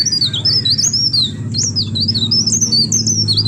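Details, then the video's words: Short run of leaf warbler song meant to draw other birds' voices: high, thin, wavering whistled slurs strung quickly together, with a steady low hum throughout. "Cikrak DAUN Receh Pancing Bunyi Burung Lain‼️Blerengan Gacor"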